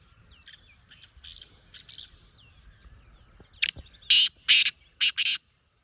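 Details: Wild black francolin calling: a softer phrase of four harsh, buzzy notes, then a louder grating phrase of four to five rasping bursts delivered in quick rhythm, with quiet background.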